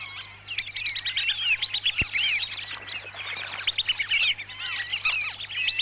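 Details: Whistling ducks recorded as a trapping lure in Lampung, Indonesia: a steady chorus of overlapping high, thin whistles and chattering chirps from many birds, with one sharp click near two seconds.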